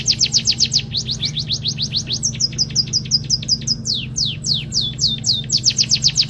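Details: Pipit kaji munia singing a canary-style song it has learned, delivering a fast, continuous run of high, steeply falling whistled notes, about four per second, switching between quicker and slower phrases over a steady low hum.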